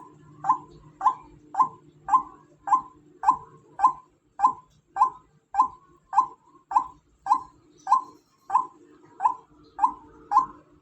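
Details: A female white-breasted waterhen repeats a short, punchy note nearly twenty times in eleven seconds at a steady, insistent pace, with a faint hum underneath.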